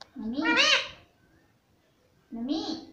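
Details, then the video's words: Pet green parrot mimicking human speech, saying the word for mummy: two harmonic, voice-like syllables, the first longer and rising, the second shorter after a pause, indoors. "मम्मी मम्मी मम्मी बोलता तोता"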